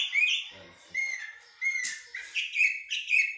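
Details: Common blackbird in blacksmith-like and military song styles, giving a series of bright whistled notes that swoop upward, repeated roughly every half second, with a few soft low sounds in the background.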